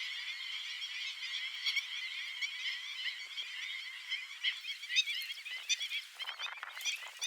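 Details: Airborne flock of black-winged stilts producing a constant mass of shrill, overlapping barking calls, with louder individual yelps and brief crackling bursts toward the end.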